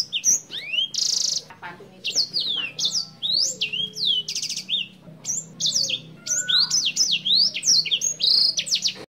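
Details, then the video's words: Energetic 'gacor' senger bird song with clear voice, used as a master recording for training songbirds: dense run of high sharp whistled slurs, rising and falling notes, and buzzy bursts, nearly continuous with brief pauses. "burung senger gacor suara jernih cocok buat masteran"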